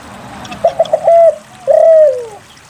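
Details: Spotted dove in lively song, aimed at getting lazy doves to call. Three quick clipped notes run into a held coo, then a longer smooth coo slides downward.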